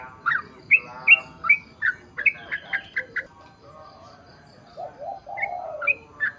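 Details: Sooty-headed bulbul singing in the 'ropel panjang' style, played to draw other bulbuls into song. Short, bright slurred notes in an uneven string, with lower, buzzy phrases partway through against a faint background hiss.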